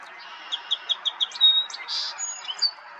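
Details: Song sparrow recorded in May in Ontario, Canada: five crisp, evenly spaced high notes, each about a fifth of a second apart, followed by a buzzy burst and a few quick chips and a thin whistle.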